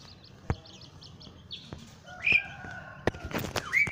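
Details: Asian pied starling, known locally as jalak suren; a mix of squeaky whistles, a rising-falling slurred note, short scratchy clicks and sharp knocks, with high thin warbled notes at the start.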